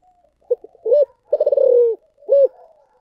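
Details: Spotted dove in thổ sấm voice: small stuttered notes, an arched coo, an extended pulsing coo gliding lower, and a final looping coo followed by faint soft notes; no other sounds.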